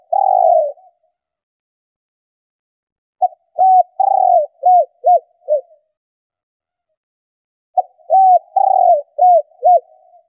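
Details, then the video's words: Female spotted dove giving its male-stimulating coo: phrases of a long low coo with short arched hoots, repeated three times with pauses of a few seconds between. "Tiếng Chim Cu Gáy Mái Kích Bổi Nhanh Gáy"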